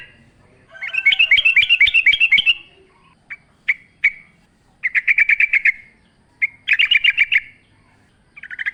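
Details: Lively yellow-vented bulbul song used as a lure, with rapid trilled bursts, scattered single sharp notes and further fast chattering runs with gaps between them.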